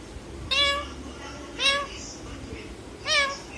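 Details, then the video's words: Talking pet parrot copying a cat, giving three clear meow-like calls about a second apart, each a rich harmonic, slightly bending tone, against a low indoor hum. "बिल्ली जैसा मयाऊ म्याऊ बोल राहा हैं तोता"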